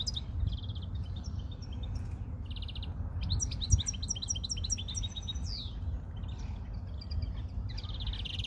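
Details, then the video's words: Several European greenfinches being tested, singing in overlapping bursts: fast rattling trills, clipped twitters and a buzzy falling note, almost continuous, with a persistent low rumble behind them. "probando verderones"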